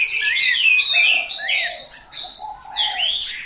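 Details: A Chinese hwamei (Garrulax canorus) pours out a loud, rich song of rapid whistled phrases, sliding and warbling high, with little pause between runs.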